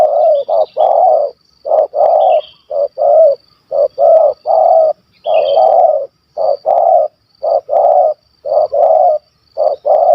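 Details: Big-voiced spotted dove from a Malaysian dove hunt, called a stammerer, singing kuk 1 2. Hoarse low coos repeat in quick irregular pairs and triplets, with small high chirps of other birds behind.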